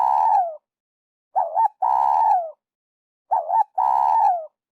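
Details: Spotted dove call used to lure birds for trapping: a wavering double note followed by a long, slightly harsh coo that slides downward. The phrase repeats roughly every two seconds.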